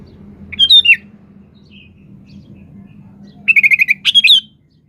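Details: Sooty-headed bulbul, a lively singer, played to coax other birds into answering: a brief bubbly burst, a pause, then a fast run of about six short chirps ending in a warbled flourish over a steady low hum.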